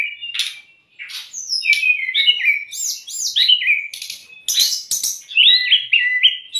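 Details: Brown-chested jungle flycatcher song used as a tutor and trigger recording for young or stressed caged birds: rich whistled phrases with quick slurred notes, rising and falling sweeps, and short buzzy bursts in varied sequence.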